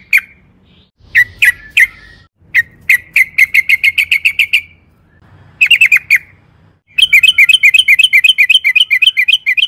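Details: Yellow-vented bulbul lure song meant to make birds answer: scattered sharp notes, then a fast trill-like run, a short burst of bubbly notes, and a long rapid rolling chatter.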